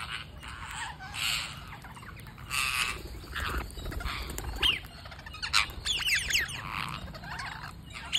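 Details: Parakeet being fed, giving loud, hoarse, rasping squawks in bursts roughly every second or two, mixed with quick high twittering notes.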